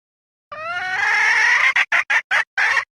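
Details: Hen red junglefowl, a call used to attract wild junglefowl. It opens with a strained, drawn-out rising cry, then breaks into five or six short, sharp clucks in rapid succession.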